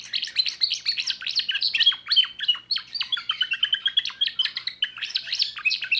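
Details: Young timbrado canary from 2024 singing a rolling, metallic song of rapid repeated notes, about four per second, with trills and short whistled slides, clear against a quiet background.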